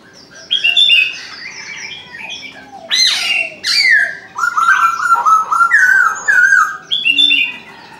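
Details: Chinese francolin in the morning giving loud, rhythmic calls: bursts of harsh notes followed by a run of ringing, slightly descending notes, with other birds chirping around it.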